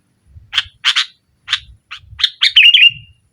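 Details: Sooty-headed bulbul singing boldly against a rival, a lure for a bird that has stopped singing: scratchy chattering notes speeding up into a rich warbled flourish, with faint low rumbling underneath.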